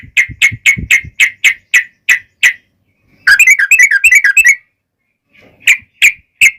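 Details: Yellow-vented bulbul used to provoke singing in other bulbuls: a regular series of sharp chips, a rapid bubbling chatter, then three more spaced chips.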